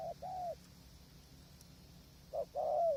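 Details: Spotted dove calling during decoy trapping from a hide in strong wind: a short coo and a longer one, a gap of quiet, then another short-long pair of mellow hooting notes over a low droning background.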